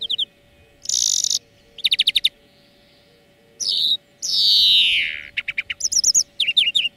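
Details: European greenfinch song for a song lesson used to train birds: bursts of rapid ringing trills, then a long buzzy wheeze that slides downward, followed by quick twittered notes, over a faint steady low hum.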